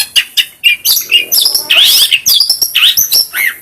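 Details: Long-tailed shrike singing as a training recording for other cage birds, a fast, varied medley of scratchy chatter, clicks, rising and falling whistles and harsh buzzy notes delivered without pause.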